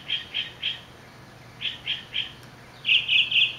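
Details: Northern Mockingbird in Orange, California, on July 18, 2009, singing high, clear notes in triplets: one note three times, a second note three times after a pause, then a louder, harsher phrase given three times in quick succession; low steady hum behind.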